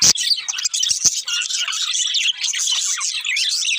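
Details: Chirping budgies in a group give an unbroken stream of high, wavering twitters and short rising and falling chirps, with a couple of sharp taps early on.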